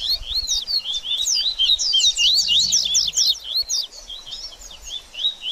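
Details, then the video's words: Baderninha song of a double-collared seedeater, played to excite a bird after its moult: dense, hurried twittering of zigzagging high notes, about four per second, easing off toward the end. "BADERNINHA DE COLEIRO Top Pra Esquentar Seu Coleiro Pós Muda De Penas!!!"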